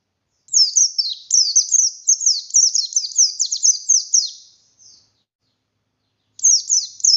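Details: Kept buxtoni oriental white-eye in forceful song: after brief silence, nearly four seconds of rapid, high, descending whistles, a pause, then a new burst of the same piercing notes.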